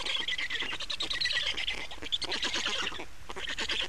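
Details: Black storks at a nest in Estonia on 28 May 2019, during changeover and feeding; dense, rasping, rapidly pulsed calling runs almost without pause, with one brief dip near the three-second mark.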